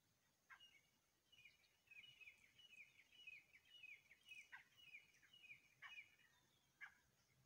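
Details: A pair of grey francolins calling together: a series of sharp, repeated whistled notes, rhythmic and slightly rising, over a steady background hiss.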